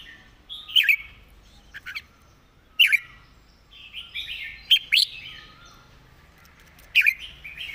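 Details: Red-whiskered bulbul (Pycnonotus jocosus), a caged songbird singing a clear, well-articulated master song: short, bright, bubbling whistled phrases, each about half a second long, repeated every couple of seconds; faint background chatter.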